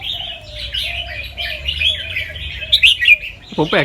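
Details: In Chonburi, Thailand, a white red-eyed albino fancy red-whiskered bulbul from a competition line practises its song in a cage. The song is called doubled, trilled and fast. Steady bright warbling is broken by sharp louder notes, and a man's voice comes in at the end.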